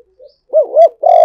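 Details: Spotted dove decoy sound: quiet low notes, then two full arched coos and the start of a long, strong final coo that is cut off at the end.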